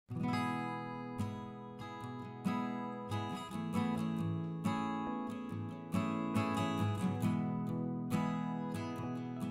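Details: Strummed acoustic guitar music plays steadily throughout, with no animal sound.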